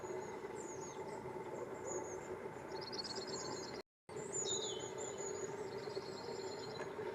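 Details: Long-tailed tits (Aegithalos caudatus) give thin, very high 'see-see' notes and short buzzy rattling trills, with a steady low rumble of traffic or machinery underneath.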